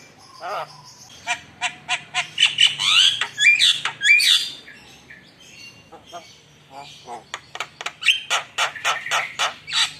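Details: Lively Javan myna (jalak kebo) song meant as a lure to rile up rival birds: a fast series of sharp clicks and harsh squawks mixed with whistled slurred notes, building into rapid repeated strident chatter.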